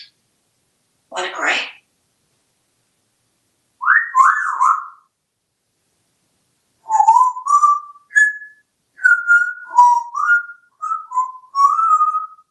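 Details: Einstein, a very talkative pet African grey parrot living in a home in Texas, whistles a tune in clear, slurred notes that rise and fall in quick phrases; a brief rough squawk or voice comes near the start.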